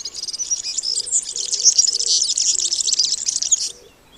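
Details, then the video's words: European Serin song: a rushed, liquid, high-pitched twitter of jangling notes running on without a break for nearly four seconds, with a faint low hum beneath. "C'est un gazouillis précipité et liquide, fait de notes aiguës de tonalité élevée qui s'enchaînent souvent sans discontinuer pendant plusieurs dizaines de secondes."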